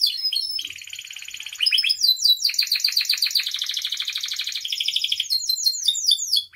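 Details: Canary singing a rich tutor song: a low buzzy rattle, rising slurred notes, a long loud rapid trill shifting between pitches, and a closing series of quick downward-sweeping chirps.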